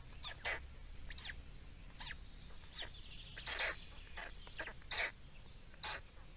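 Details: Estonian black storks at feeding time, 17.05.2019: a run of scratchy, squealing calls, some doubled, spaced unevenly about every half second to a second, with faint high whistled notes from other birds behind.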